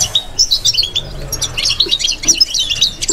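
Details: European goldfinch in captivity singing bitbita, a subdued babbling song: quick tumbling high twitters and short slurred notes pouring out without pause.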